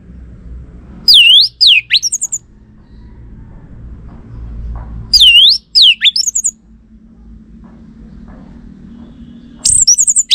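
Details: Orange-headed thrush song played as a lure that males are said to answer: three short bursts of loud, high, swooping notes spaced about four seconds apart, with quiet between.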